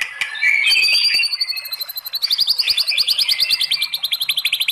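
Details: White-rumped shama singing a long provoking phrase: a sustained high whistle gives way to a very fast, evenly repeated series of sharp, high chipping notes, about three every second, continuing to the end.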